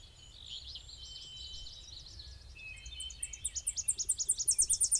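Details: Tennessee Warbler on a rainy, very dewy day in a wet area, probably near a power-plant lake: high, thin twittering notes build into a fast, loud series of sharp, repeated chips over a faint low rumble.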